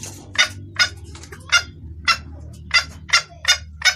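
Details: Female red junglefowl calling for the male: about nine loud, harsh clucking notes in four seconds, slightly irregular in spacing, with a low hum behind.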